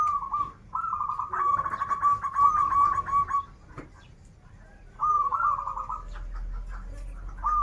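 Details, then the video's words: Local zebra dove from Banten singing in the 'krital' and 'warung kebek' styles: long, rapidly quavering mid-pitched coo phrases, the first running about three seconds, then a pause and a shorter trilled phrase, over low background rumble. "Perkutut lokal gacoran suara krital, warung kebek, dan suara aneh"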